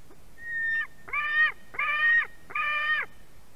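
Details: Screaming white-tailed eagle chick begging as fish arrives at its nest in Durbe, Latvia, 31 August 2020, 4:50 pm: a faint whistle, then three harsh, rasping screams in steady succession.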